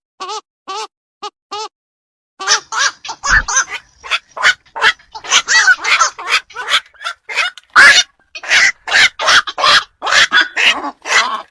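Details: Black-crowned night herons used as a night-trapping lure ahead of Tết: a few clear, evenly spaced nasal calls open, then a dense run of harsh, overlapping croaks and barking quoks follows without pause.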